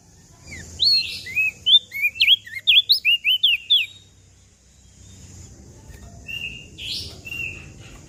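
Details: Mountain leaf warbler song: a quick series of about ten high, slurred whistles over two seconds, followed by low background rumble and a couple of softer, flatter high notes.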